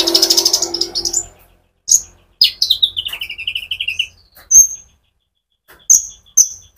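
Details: Konin sunbird singing, meant to stimulate other sunbirds: a high trilled burst opens, then a descending string of quick notes falling lower, followed by isolated sharp high chirps.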